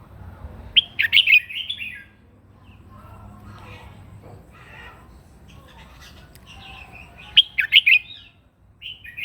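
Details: Morning fighting song of a red-whiskered bulbul, meant to spur birds to sing: two bursts of loud, chattering whistled notes separated by several seconds of quieter, scratchy twittering over a low hum.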